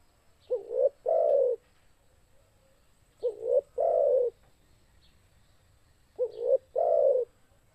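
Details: Spotted dove (Spilopelia chinensis), coo.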